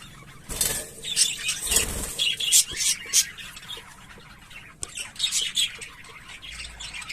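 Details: English Fallow budgerigars, both visible birds and carriers of the mutation, give bursts of high, scratchy chirps and squawks in irregular clusters with short quiet gaps; a sharp click cuts in near the middle.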